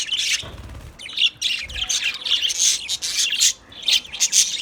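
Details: White budgerigars chattering together: dense, scratchy warbles and sharp chirps crowd the upper range, with short squawky notes and a couple of low thumps early on.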